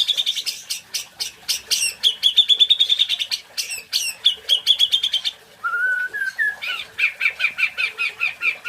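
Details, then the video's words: White-rumped shama singing, described as national champion material: rapid, varied song of sharp chirps, buzzy repeated notes and short whistled trills, with a lower rising whistle mid-phrase and a quick run of repeated notes. "MATERI MURAI BATU JUARA NASIONALL"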